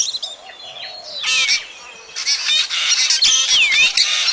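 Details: Black drongo voice for night bird trapping: harsh raspy bursts run together with sliding whistled notes that drop and lift again, fairly loud and continuous.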